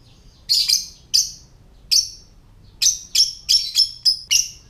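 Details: Ngetik call from a lovebird, played to coax other lovebirds to call and breed: a double chirp, two spaced single chirps, then a fast string of six harsh, high clicking chirps close together.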